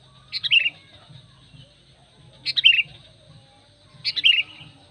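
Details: Sooty-headed bulbul call used to summon wild bulbuls and to train kept birds: three lively, downward-sliding chirp phrases roughly two seconds apart, over a quiet low background drone and a thin high tone.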